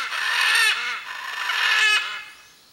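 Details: Blue-and-yellow macaw (Arara-canindé) calling to locate its mate: two long, harsh, grating squawks rich in overtones, each about a second, then silence.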